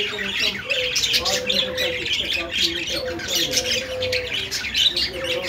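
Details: A group of parakeets chattering, with dense overlapping squawky chirps and warbles and faint lower wavering notes in the background.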